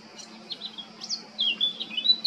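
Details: Male Eurasian blackcap at Baška, island of Krk, Croatia, in July 2022, giving a short burst of scattered high chirps that swell into a couple of loud clear whistled notes near the end, with a low hum underneath.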